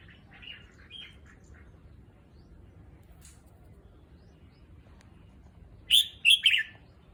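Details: Caged red-whiskered bulbul, recently moved and adjusting to a new cage, makes soft scattered chirps first, then near the end a loud, ringing three-note whistled phrase.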